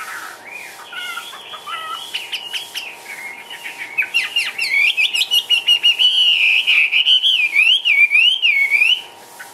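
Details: Chinese hwamei in a cage, Vietnam, starting with soft chattering notes, then building into loud rapid trills and a smooth wavering whistle that rises and falls repeatedly; steady low hum in the background.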